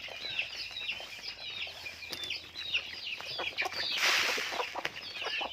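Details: Farm chickens chirp and cluck in rapid high notes; a brief rush of rustling or flapping noise breaks in near the end.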